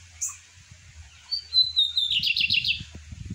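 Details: Pet lined seedeater singing around 8:30 in the morning, its song described as strong and full: clear high whistles sliding slightly downward, then a rapid run of five buzzy rising notes. Low rumbling background noise.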